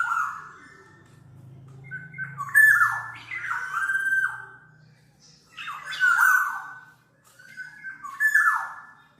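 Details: Black-naped oriole, a recording meant for tutoring and luring: a series of four or five cat-like, nasal phrases, each sliding downward with strong overtones, separated by brief gaps, over a faint hum.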